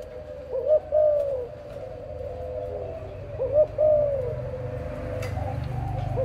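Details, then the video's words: Two cooing phrases from a parent dove of a breeding pair, roughly three seconds apart, each a quick rising note leading into a longer mellow coo that sinks. Low rumbling background noise swells near the end. "BỐ MẸ CHIM 🐦 CU"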